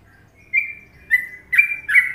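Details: Sooty-headed bulbul, Indonesia, Trucukan song: after a brief quiet start, four clear, mellow whistled notes follow one another about every half second, the last two fuller and more chortling.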